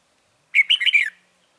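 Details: Red-whiskered bulbul lure bird at a trap gives one brief, clear warbled phrase of four or five quick rising and falling whistled notes.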